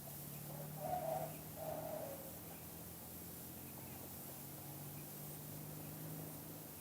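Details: Spotted dove giving its two-kuk-hoi song: two soft, low, rounded coos close together near the start, then quiet, with a constant low electrical-sounding hum throughout.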